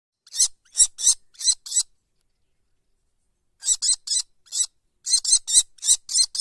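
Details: Common kestrel chicks giving harsh, hissing rasps in short bouts: four or five quick strident notes, a pause of nearly two seconds, then a longer run of about eleven rasping calls. No other sounds.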